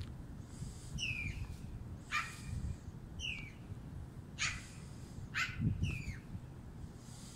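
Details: A Black-billed Magpie in Canada in winter gives short, down-slurred whistled notes alternating with harsh, rasping bursts every second or two, over a steady low rumble.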